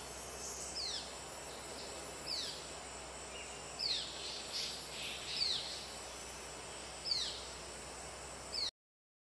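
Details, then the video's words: Juvenile Yellow-bellied Bulbul (Alophoixus phaeocephalus) still calling for food, with thin, high, downslurred notes about every 1.5 seconds over steady hiss; Congkak Forest Park, Selangor, 7 October 2010, breeding season on or just over. "Bulbul, Yellow-bellied - Alophoixus phaeocephalus - juvenile"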